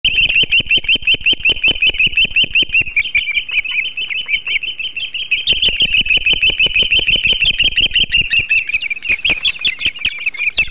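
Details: Ospreys at their Hog Island nest during a huge flounder feast, 08.05 on 21 July 2016: a continuous stream of high, sharp, whistled chirps, rapidly repeated for about ten seconds, with the pitch easing slightly downward near the end.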